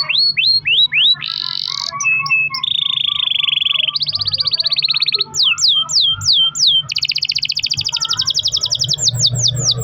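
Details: Canary delivering a long rolling song as a lure: swooping repeated notes, short clipped chirps, steady buzzing rolls at changing pitches, and rapid trills that run almost without a break.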